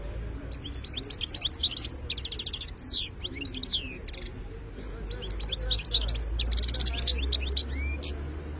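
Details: European goldfinch song, khlawi style: two long phrases of tumbling high twitters, buzzy rattling trills and downslurred whistles, with a brief pause between them.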